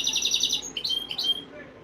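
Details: Canary singing for breeding conditioning, meant to stimulate females. A quick rattling trill opens, followed by a few clear whistled notes that slide down and up, then fade.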